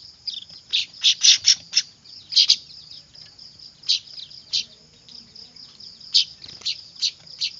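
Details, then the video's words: Weaver (manyar) chicks making a racket, the calls used to lure birds: a fast cluster of piercing chirps early on, then sparser single chirps, all over a steady thin insect-like whine. "Suara anakan burung manyar ribut cocok buat pikat"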